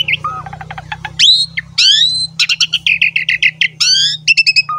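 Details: Asian pied starling singing vigorously as a lure for other starlings: quick chatter, sweeping upslurred whistles and rapid repeated staccato notes over a steady low hum.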